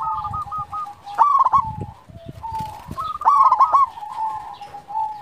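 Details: Local zebra dove singing, used to lure and stir quiet doves: two loud, rough, stepped cooing phrases about two seconds apart over steady staccato cooing from other doves.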